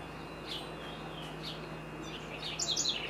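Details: Great kiskadee at Florianópolis, Santa Catarina, Brazil, giving soft high chirps, then a brighter burst of sharp notes near the end, over a steady background hum.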